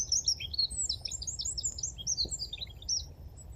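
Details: Eurasian wren singing its mating song on a February 17, 2023 morning in the Dnipro river floodplain at Konche-Zaspa, Kyiv: a rapid, high, continuous outpouring of sharp trills and twittering notes, very loud for its size, over a faint low rumble.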